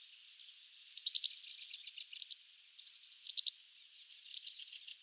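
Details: European serin (Serinus serinus) song, a diagnostic rushed, liquid, very high jingling twitter in tumbling bursts of under a second, the notes fizzing together with only brief pauses.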